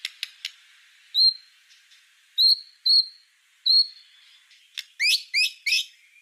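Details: White-rumped shama singing on a master recording for tutoring other songbirds: sharp clicks, then four pure high whistled notes spaced about a second apart, ending in a quick group of three upward-sweeping notes.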